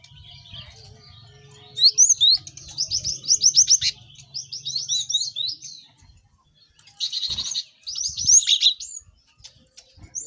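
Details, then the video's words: Cinereous tit in a busy chorus, a training recording so birds learn song fast: low hum at first, then rapid buzzy trills and chattering high notes in bursts with short gaps. "Pacingan gelatik batu ramai untuk maksimalkan burung belajar cepat bunyi"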